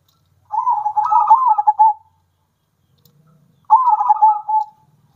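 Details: Zebra dove, local wild and captive-bred singers alternating to excite other doves into song: two long rolling coos, a rapid bubbling trill sliding down into a steady lower note, about three seconds apart, faint low hum between.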